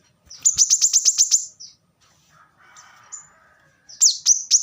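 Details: Plain-throated sunbird (kolibri kelapa) in fast gacor song meant for training other birds: a quick trill of eight high ringing notes, a pause with faint background hiss, then three sharp downslurred chips.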